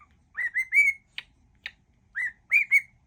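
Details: Cockatiel kept as a pet whistling a song mash-up; a few drawn-out, pure whistled notes that slide upward, with two sharp clicks in between, then two more rising whistles.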